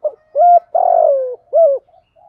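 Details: Decoy spotted dove calling wild doves to come, Sấm Thổ voice style. A quick run of hollow coos includes a long, wavering, slightly descending middle note. It ends with a final clipped coo and faint trailing murmurs.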